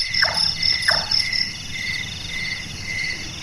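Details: Two quick knocking chonks open the recording from a night-active large-tailed nightjar, known as the carpenter bird, followed by only the steady buzzing of crickets.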